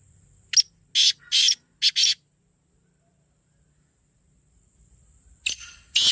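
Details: Black francolin voice used for calling the bird: a burst of four or five harsh, scratchy notes within about two seconds, then a thin high steady tone before further rasping notes.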